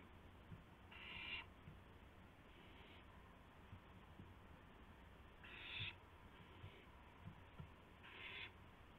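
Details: Owl at 12:25 AM on April 7, 2016, amid a gopher prey delivery. Harsh hissing screeches arrive in widely spaced pairs, a loud burst followed by a softer echo-like one, with scattered light taps and low hum.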